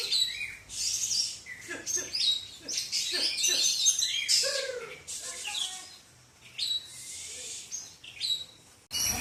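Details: Oriental magpie-robin in an Indonesian singing contest in Aceh, delivering a busy stream of high chirps, rapid trills and harsh buzzy notes, pausing briefly before resuming; crowd noise and other contest birds are heard around it.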